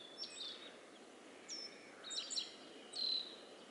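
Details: Black-faced bunting in relaxed song, giving sparse, thin, high notes in short phrases separated by pauses of about a second, against a soft background hiss.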